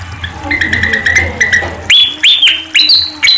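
Sunda pied fantail song: loud, sharp whistled notes that rise then fall, about three in under two seconds, after softer chirping with faint low hum beneath.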